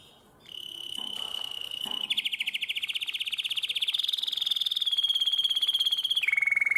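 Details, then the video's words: Canary of the nightingale-voiced song style, Drama, 2017: a steady high rolled trill that shifts step by step onto slightly higher pitches. The song ends in a lower, rapid pulsing roll. Faint short notes come before it. "Αηδονόφωνο Καναρίνι"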